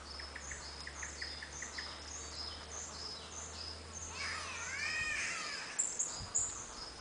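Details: Green catbirds in Dorrigo rainforest, a World Heritage park inland from Coffs Harbour: a loud, nasal, wavering wail like a cat's meow, after a run of thin, high repeated chirps from other small birds or insects and a low hum.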